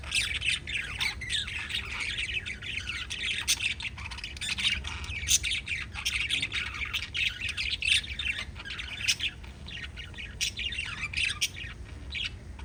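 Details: Pet lovebirds giving near-continuous scratchy, high chirps and squawks in dense overlapping runs, sharp clicks scattered throughout, over a soft low background hum.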